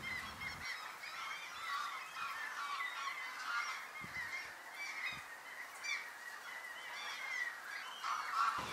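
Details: A flock of geese crossing a lake in the Hanias polder, Nieuwe Dordtse Biesbosch, Netherlands, in spring as rain eases, honk continuously in a dense, overlapping chorus of nasal calls, with a few low thumps from the recordist.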